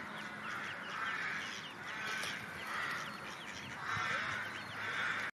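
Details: A mother mallard (Anas platyrhynchos) on the shore with her feeding ducklings gives harsh, nasal quacks about once a second, while the ducklings' high, thin peeps flick over the top, with soft background rustle.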